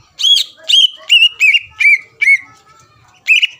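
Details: Greater green leafbird in full song, a lure to provoke rival contest birds: six loud whistled notes with hooked, downward-bending ends, repeated about every third of a second, then a pause and one final note.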